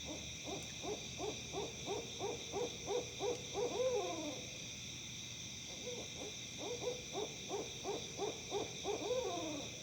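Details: Owls hooting in Tennessee, sounding like monkeys: two bouts of rapid rhythmic hoots, about three per second, each building into a wavering, descending squall, with a constant high-pitched insect-like drone behind.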